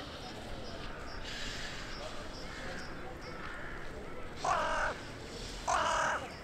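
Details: In a town centre at evening, January 2021, a resident crow answers others flying in to roost: faint distant calls at first, then two loud rasping caws just over a second apart.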